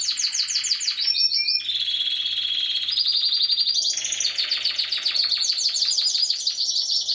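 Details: Singing Spanish Timbrado canary: a long unbroken run of chained tours, quick rattling trills giving way to smooth sustained metallic rolls and then to rapid clipped notes again, clear and steady throughout.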